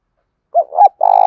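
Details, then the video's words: Spotted dove cooing, played to stimulate captive doves to coo: a soft low coo, a longer rising-falling coo, then a steady held coo that is cut off abruptly. "tiếng cu gáy thúc bổi"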